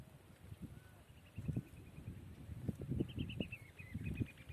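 A red-wattled lapwing gives quick series of sharp, high, slightly falling notes, fainter at first, then louder, over heavy low wind and handling rumble.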